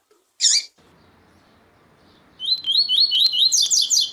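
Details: Double-collared seedeater training audio of female calls and a singing male, used to rouse captive males: a single sharp note, then a fast run of high, bright twittering notes, several per second.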